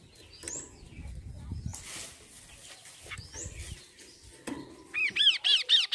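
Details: Kaso-kaso bird song used as a prompt for singing birds. After quiet rustling and faint distant chirps, a loud series of rapid, looping whistled notes bursts in near the end.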